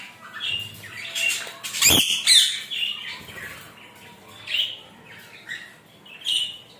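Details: A rainbow lorikeet showering gives harsh, shrill screeches and chatters in irregular bursts, broken by splashing water and a sharp clatter partway through.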